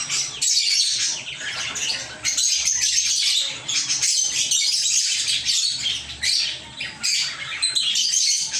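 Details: Chirping lovebirds kept in a small aviary, several birds chattering at once in harsh, high, squeaky notes; continuous busy flock noise with brief lulls around two and a half and seven seconds.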